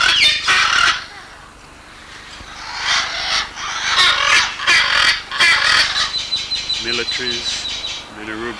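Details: Several macaws in a mixed aviary flight of breeding parrots give loud, harsh, raspy squawks in overlapping bursts, about three a second, while a man speaks briefly near the end.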